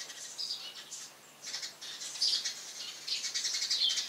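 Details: Loud morning chirping of a Eurasian tree sparrow perched above a house: sharp, high chirps in uneven clusters, a brief quieter gap, then denser, louder twittering in the second half.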